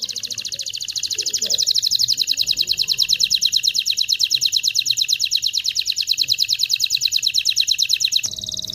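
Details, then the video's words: Canary singing to prepare males and females for mating, one long rapid trill of buzzy repeated notes held steady for about eight seconds before an abrupt change of phrase. "تغريد طائر الكناري هائج , لتجهيز الاناث و الذكور للتزاوج والغناء"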